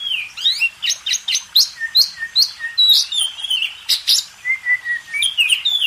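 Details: Rhythmic master song of an Oriental magpie-robin for contest training: evenly spaced upswept chirps about three per second, interspersed with short level whistles and ending in looping high notes.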